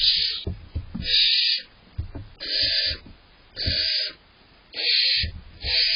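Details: Young barn owl owlets inside a nest box, waiting for their parents to bring prey while the larger owlet bosses its way to more food. Harsh, broadband hissing begging calls come in five half-second bursts about a second apart, with soft knocks between.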